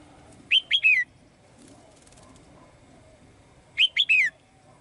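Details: Caged female bird singing brightly to call the male: two bursts of three quick, bright chirping notes about three seconds apart, the last note of each sliding downward, over a quiet room background.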